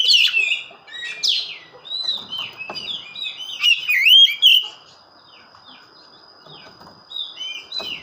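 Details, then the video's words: Oriental magpie-robin in full song, giving varied clear whistled phrases. Sweeping and slurred notes are delivered in quick bursts, then fade to quieter scattered notes. A faint steady high tone runs through. "burung Kacer gacor"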